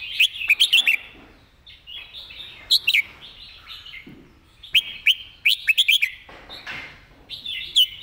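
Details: Red-whiskered bulbul delivering a fast, repetitive master song. Dense bursts of bright chirping notes come in quick succession throughout, with loud phrases around the start, middle and end, and a continuous soft warble underneath.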